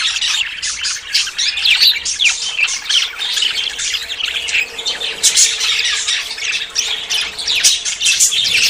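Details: Courting budgerigars about to breed keep up a continuous flock chatter of harsh squawks, sharp chirps and bubbling warbles, dense and unbroken throughout.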